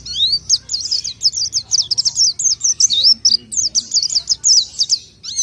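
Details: Pelci song from an orange-headed thrush: a high twisting run of rapid whistled slurs and chirps, some notes looping up and down, with brief pauses and a faint low murmur in the background.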